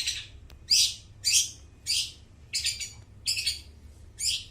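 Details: Long-tailed shrike singing as a lure to train mute shrikes: harsh, high scratchy notes repeated steadily about every half second, seven bursts in all, against a quiet background.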